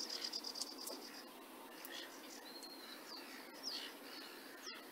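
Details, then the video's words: Sedge warbler singing at Burton Mere Wetlands on 8 June 2014, recorded through a phone-scope from a hide: scattered high thin whistles and short chattering notes, with a sustained whistled tone midway, over steady background hiss. "Singing sedge warbler"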